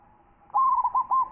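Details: Local zebra dove (perkutut) cooing: a single phrase of low, hollow coos with a stuttering opening run and two longer notes, clear and close with little background.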